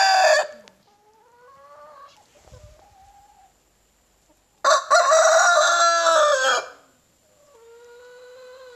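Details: In spring, a White Leghorn rooster crowing in the morning gives one loud, harsh, ringing crow lasting about two seconds. Softer, drawn-out calls from more distant birds come before and after it.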